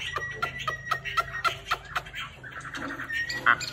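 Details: Chinese hwamei in full plumage singing: a run of sharp repeated notes about four a second, then varied warbled phrases ending in a loud burst; steady low hum underneath.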